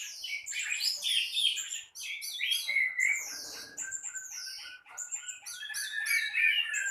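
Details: Orange-headed thrush singing energetically in the morning: a fast, rich stream of varied whistles, high sweeping slurs and chattering notes, phrases tumbling without pause.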